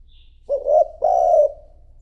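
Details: Low, soft coo phrase from a decoy spotted dove calling to draw in wild birds: a brief rising note, then a sustained hollow coo, with quiet surroundings.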